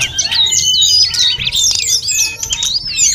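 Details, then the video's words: Energetic snowy-browed flycatcher song, full of inserted phrases and meant as a training recording for other birds: a dense tumble of high, sharp, zigzagging notes and twitters without pause. "Masteran sulingan gunung full isian || Tledekan gunung gacor || Sulgun nyuling-nyuling"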